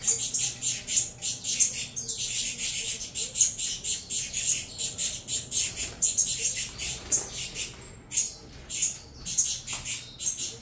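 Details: Begging saffron finch chicks, captive-bred from a Venezuelan cross, keep up an almost continuous stream of shrill, scratchy squeals while being fed, briefly pausing before resuming in dense pulses.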